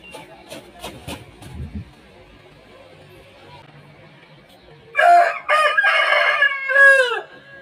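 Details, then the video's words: An Aseel rooster's crow in slow motion: one loud, hoarse crow of about two and a half seconds breaking into several strained phrases, after a few soft knocks and rustles. "Aseel Roosters Crowing Sound"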